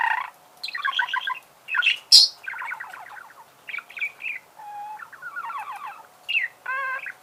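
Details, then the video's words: A budgerigar sings a varied warble: buzzy chattering trills, a sharp high squeak, rattling runs of clicks, a short plain whistled note and a ladder-like stuttered phrase, all with brief gaps between. "Пение волнистого попугая. Голоса птиц"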